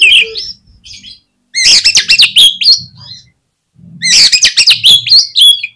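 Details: Oriental magpie-robin song used as a lure to provoke other birds into singing: loud bursts of varied whistles and rapid chattering notes between 2 and 8k, in two phrases separated by a short pause.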